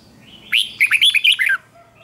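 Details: Red-whiskered bulbul singing fiercely in a contest-style session to stimulate young birds: a lively, chattering string of about eight clear, looping whistles packed into one second, ending in a falling note.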